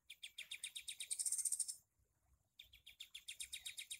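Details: Sooty-headed bulbul recorded as tutoring material for songbirds: rapid strings of harsh, clipped chirps at about four per second, with a thin, high, shimmering trill over the middle, a brief silence, then the chirp series resumes.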